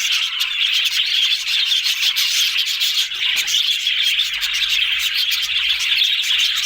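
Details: Many budgerigars chatter together in a steady wall of high, scratchy chirps and warbles, with no pauses and no other clear sounds.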